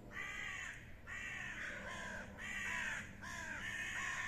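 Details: Common ravens fighting, giving distinct harsh, downward-sliding croaks roughly once a second, each rough and nasal, with faint overlapping calls between them.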